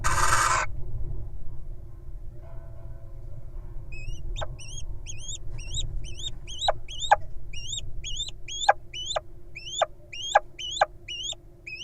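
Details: Wild little owl nestlings in a nest box, found at two days old in early June. After a brief noise burst and a quiet start, rapid high squeaks sweep upward, repeated about twice a second with sharp clicks, over a low steady hum.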